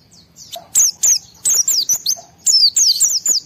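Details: Excited white-eye with a brisk, steady string of sharp, high chirps, each sliding quickly downward, about three per second, intended to trigger answering song from other white-eyes.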